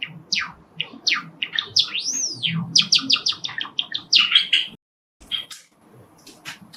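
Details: Caged male sakura Java sparrow, one of five kept indoors, singing after hearing sparrows outside: dense bursts of high chirping notes around a drawn-out rising-and-falling whistle, a brief pause, then scattered softer chirps.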